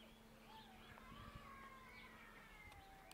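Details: Tui in a suburban kowhai tree on a summer day, gathering at the nectar with other tui: long, faint whistled notes slide gently up and down, with soft higher chirps and a steady low hum underneath.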